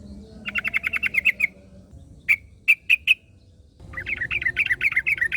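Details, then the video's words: Wild yellow-vented bulbul singing, answered by another bulbul: a fast run of bright chattering notes, a pause, four louder separate chirps, then another quick bubbling run over a low background hum. "KICAU Burung Trucukan Ngalas Trucukan Lain Langsung Nyaut"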